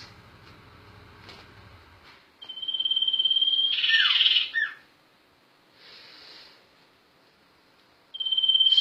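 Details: Sirtu bird, known as sirpu, in gacor ngerol rolling song: a long level whistle that swells into a harsh buzz with falling slurs, a softer buzzy phrase, then another loud whistle. A low hum is heard early on.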